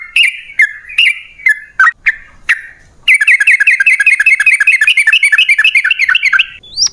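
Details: Yellow-vented bulbul used to prompt caged birds to sing: six loud, separate liquid notes, then a long, fast chattering series of bubbling chirps, ending with a thin rising whistle.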